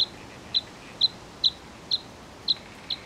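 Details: Bluethroat repeating a short, clipped high note about every half second, seven times, with faint background hiss.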